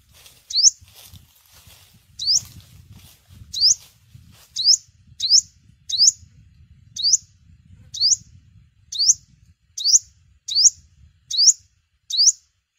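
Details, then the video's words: Yellow-bellied sunbird giving a long series of about a dozen sharp rising chips, spaced roughly a second apart, over soft low background noise; recorded as a bird-season lure. "Tiếng chim hút mật 5 màu bụng vàng"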